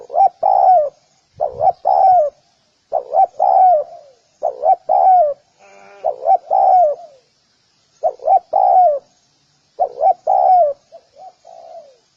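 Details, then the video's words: Spotted dove calling repeatedly: low mellow coos in phrases of two quick notes and a longer falling slur, about eight phrases in close succession, ending with a softer fading coo. "Spotted_Dove_ki_Awaaz | Amazing call sound effect | Spotted_Dove"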